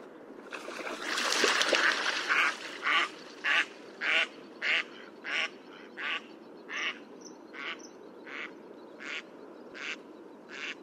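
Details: Mallard giving a long run of loud, harsh quacks, about two per second, that start strong after a noisy burst and gradually fade in volume toward the end.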